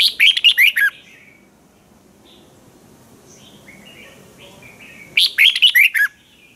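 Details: Spirited caged red-whiskered bulbul from Thailand repeating its clear training song: a burst of six quick, liquid, swooping notes, a pause filled with soft distant bird calls, then the same burst again.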